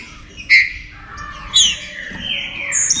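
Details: Saltator song used to stimulate other saltators: two sharp whistled notes, then a long downward-gliding whistled phrase, over quiet background hum.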